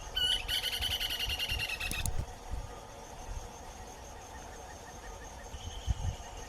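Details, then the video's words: Short-crested flycatcher recorded live in Atlantic Forest: a brief sharp note leads into a rapid rolling rattle that falls slightly in pitch. Faint soft repeated notes and a thin whistle from other birds follow in the background. "PECULIAR* canto da MARIA CAVALEIRA"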